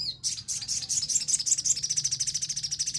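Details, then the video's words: Orange-headed thrush on a lure recording for provoking song, from an untrained bird. High chattering notes repeat rapidly and evenly, pulsing several times per second throughout, with a faint low hum below. "Pancingan emosi sogon bahan"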